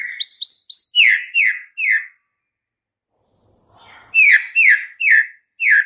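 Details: Fill song of a White-rumped shama, played to provoke silent shamas: high rising notes, then a run of repeated falling whistles, a soft pause with faint rustling, and more repeated downward-swept notes.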